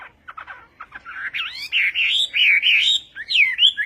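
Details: Vietnamese-style song of a Chinese hwamei: a few short chipping notes lead into loud, sweeping whistled phrases with looping rises and falls and sustained warbled notes.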